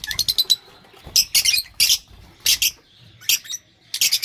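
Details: Lovebird calls: short clusters of high, scratchy chirps and squeaks spaced about half a second apart, with quiet gaps and faint low rustling.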